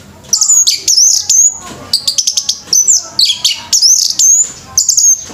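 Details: Orange-headed thrush at a bird singing competition, pouring out very high, fast song phrases of clipped chirps and sweeping whistles, each burst about half a second long and repeated almost without break.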